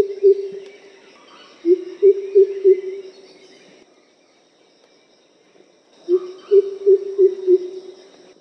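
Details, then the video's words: Greater coucal in Pune one morning, with about six coucals fighting to take high rocks to call from, giving deep, hollow hoots in quick runs of four or five notes, about three a second; a strange hiss call is also given. "Greater Coucal, Vocals , strange Hiss vocalization along with normal call"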